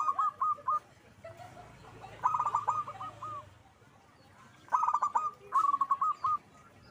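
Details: Lively zebra dove (perkutut) song made of four clipped phrases. Each one is a fast run of bubbling coo notes ending in a longer tone. The phrases come in pairs separated by pauses, with a low murmur in the background.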